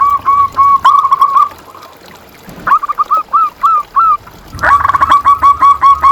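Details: Local zebra dove song for luring and training caged doves: repeated staccato coo phrases, a slower run of separate bending notes in the middle, then a loud dense trill.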